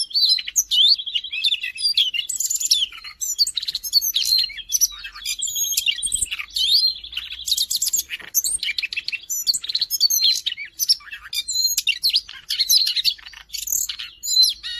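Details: Siberian rubythroat recorded in Jakarta on 5 March 2025, in rich, continuous song: rapid warbling phrases of varied whistles, trills and buzzy notes, mostly high-pitched, with no other sounds.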